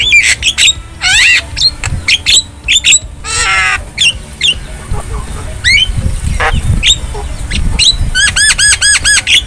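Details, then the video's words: Wild Javan myna singing in nature, a recording meant to tutor caged birds: rasping squawks, looping whistled slurs and a rapid run of repeated arched notes near the end, with low rumble underneath. "Masteran Burung Jalak Kebo Jabo Jalbo Asli Alam Liar"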